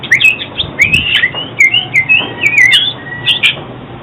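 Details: Rapid, lively oriental magpie-robin phrases of bright chirps and short sliding whistles, punctuated by crisp clicks, in a loop meant for trapping and training other birds' voices; steady hiss beneath.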